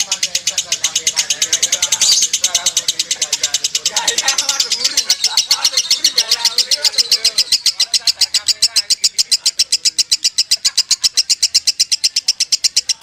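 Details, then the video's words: A long konslet run from a lovebird: relentless rapid high chirping for thirteen seconds, with louder, smeared notes early on and low background rumbling and murmuring in the middle. "LEGENDA LOVEBIRD KONSLET KUSUMO || SUARA ASLI LOVEBIRD KUSUMO"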